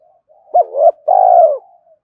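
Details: Spotted dove cooing to lure a rival: a soft lead-in, a rising double coo, then one long, slightly quavering coo that fades out.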